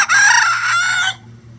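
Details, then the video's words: Loud, close rooster crow from a farm flock of at least 20 roosters, standard and bantam breeds, that crow all day. A bright, sustained, harmonic cry lasts about one second, then stops sharply, leaving a faint hum. "20 Roosters Crowing For 20 Minutes"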